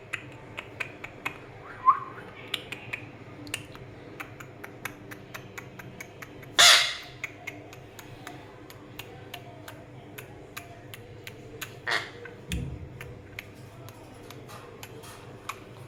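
A red-breasted parakeet gives a few harsh, grating squawks, one loud and long, with softer chatter between, over a steady run of sharp clicking taps.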